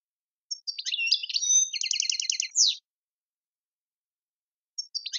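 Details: Tiwawati-style European goldfinch song, Algerian: a continuous run of high twitters leading into a rapid rattling trill and a sharp descending note, then a pause before the next phrase begins.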